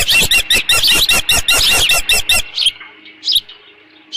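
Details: Osprey at its nest at Dunrovin Ranch on 13 June 2018, late morning around leftover fish; a fast run of loud, high, chirping calls for over two seconds, then quiet with a few scattered faint chirps.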